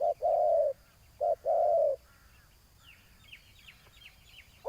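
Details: Two clear short-then-long coo pairs from a spotted dove during ground decoy trapping, followed by a quieter stretch with distant high bird chirps and faint trills.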